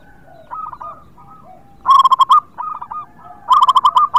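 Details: Local zebra dove, a constantly singing bird used as a lure for reluctant singers, gives bursts of rapid staccato cooing notes, each phrase of about six quick pulses, with softer lower coos between phrases.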